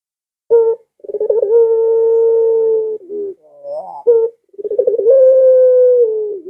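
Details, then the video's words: Barbary dove calling to lure pet doves into calling too: stuttering rolled openings leading into long, flat, low cooing notes, with a brief rising slur between them. "Suara Burung Puter Ini Memikat Puter Anda Dirumah Sehingga Ikut Bunyi"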